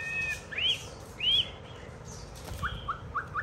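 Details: White-rumped shama singing during play with a child: two strong upslurred whistles, then a series of four short clipped notes spaced about a quarter second apart.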